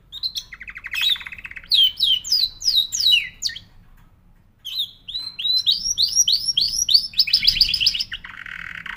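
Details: Canary alternates a low rattling trill with rapid rows of rising whistled notes, pausing silently for about a second before a second run and a closing buzz.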